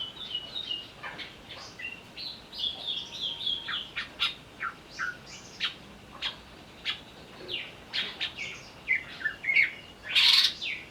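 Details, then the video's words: Greater green leafbird singing while agitated, as a lure to provoke others: a continuous chatter of quick chips and short whistles, rather irregular, building to a loud harsh burst at the end. "pancingan burung cucak ijo agar bunyi sambil emosi"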